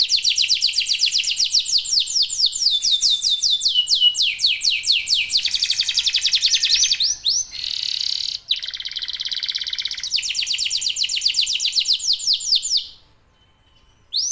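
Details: Local canary singing hard to set other canaries off: long runs of quick descending whistled notes, buzzy rolls and trills, ending in a short pause before the song resumes.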